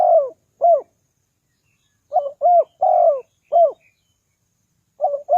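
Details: Spotted dove used as a lure for wild doves, giving irregular hollow coos, single and paired, with curling falling tails and long silent gaps between bursts.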